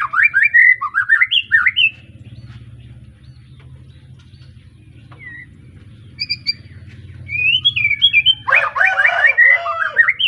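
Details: White-rumped shama, young caged bird freshly past its juvenile moult, Arko Tangerang line, Petarukan, Pemalang: loud, fast whistled phrases of sliding notes open and close the recording around a quiet gap with soft single notes and low hum.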